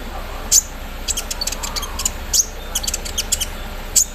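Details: Olive-backed sunbird kept in a cage, set out in the morning dew and singing its embroidery-machine imitation: scattered very high, thin, sharp notes with short ticking runs between them against a low hiss.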